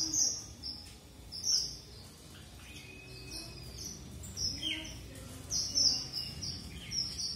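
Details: Red avadavat singing a fast series of high, thin, tinkling notes and short whistles, irregularly spaced, with a few slightly lower chirps mixed in over soft background noise.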